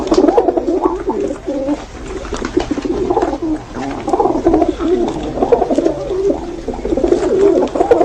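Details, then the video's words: Several pigeons coo continuously in deep, bubbling, warbled phrases that rise and fall in loudness, layered over one another with hardly any gaps. "Amazing Pigeon Natural sound|| Natural sounds of Pigeon birds"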